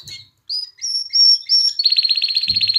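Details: Canary singing to stimulate mating in females and song in chicks: several clear rising whistled notes, then a rapid steady trill, with a low thump near the end.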